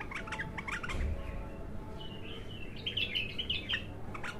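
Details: Untrained bulbul heard on its first opening: a string of short staccato chirps, then a flowing, trilled warble that wavers up and down before stopping abruptly, with low background rumble.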